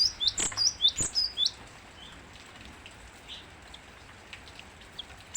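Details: Cinereous tit singing actively: a quick burst of about eight high, sharp, repeated chevron-shaped notes over roughly a second and a half, then near silence with a faint steady background hiss.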